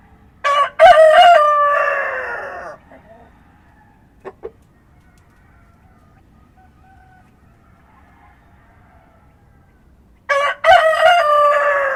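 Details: Two dawn crows from a rooster in the countryside, about ten seconds apart, each a short syllable then a long ringing note; a couple of soft short clucks and quiet farm ambience between them.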